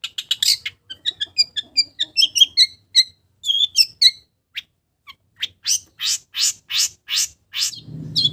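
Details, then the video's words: Mimicking village birds, a long-tailed shrike delivers quick ticking and whistled notes in a tumbling series, then a run of loud harsh rasping notes repeated evenly, with a brief low rustle at the end. "SUARA BURUNG CENDET ISIAN BURUNG KAMPUNG"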